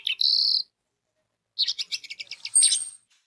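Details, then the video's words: Orange-headed thrush singing, used as a lure to prompt other birds of its kind to sing. A single sustained high whistle is followed by a pause, then a quick series of sharp, chattering notes and a bright final flourish. "DENGAN SUARA ANIS MERAH INI 99% ANIS MERAH AUTO BUNYI DAN SINGSET"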